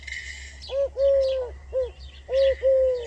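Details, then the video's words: A bird whose call is said to sound like "sidi rabbi" gives clear, mellow, hooting coos in two paired groups. In each group a short note is followed by a longer drawn-out one. A steady low hum and faint chirps from other birds run behind. "صوت الطائر العجيب الذي يقول (سيدي ربي) The voice of the wondrous bird that says (sidi rabbi)"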